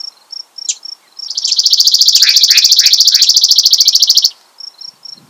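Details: Chipping Sparrow singing a dry, rapid, mechanical trill of identical high chips lasting about three seconds, framed by a few scattered soft chip notes; a Yellow-breasted Chat sings incessantly alongside.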